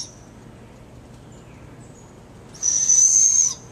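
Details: Captive female barred owl calling as a keeper walks into her enclosure, possibly after food or enrichment: after nearly three seconds of quiet, one shrill, steady, high-pitched whistled screech lasting about a second.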